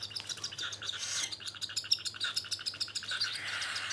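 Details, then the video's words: Cockatiel being hand-fed, lutino, albino or whiteface type, giving dense rapid high chirping begging calls, many short tweets per second with a steady hiss of higher noise throughout. "Handfeed cockatiel"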